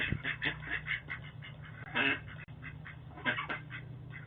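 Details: Ducks fighting by a front door in Boise, caught on a doorbell camera: harsh, nasal complaining quacks in irregular bursts, loudest around the middle and near the end, over a steady low electrical hum.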